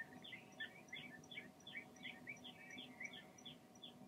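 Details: Long-toed stint giving short, sharp chirping notes in quick succession, roughly two to three per second across four seconds, some doubled. A faint, steady higher ticking runs throughout over a low background hum.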